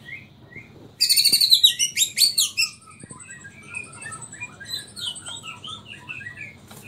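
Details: White-rumped shama (Murai Borneo) from Samarinda, song in the nyangkul and roll tembak styles: a burst of rapid, loud, high chattering notes, then softer varied whistled phrases and rising-falling trills.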